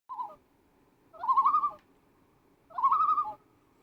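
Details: A mother common loon with her baby gives a short mellow note, then two drawn-out, slightly rising, wavering cries about a second and a half apart, over a soft low rumble.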